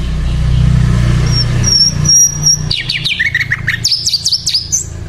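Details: Hill Blue Flycatcher singing actively, opening with thin high whistles over a low rumbling background, then a fast jumble of sweeping, zigzagging whistled notes that rise and fall.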